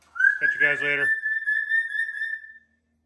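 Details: Pet cockatoo, happy and excited while taking a shower in a sink: a clear, steady whistled note held for about two seconds, overlapped early by a short harsh, grating squawk, then fading out.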